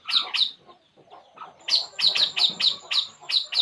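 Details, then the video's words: ['Relaxed puling bird giving two sharp high chirps, then softer lower notes, then a fast run of bright chirps about four per second.'] "burung puling. Inilah yg dilakukannya saat santay"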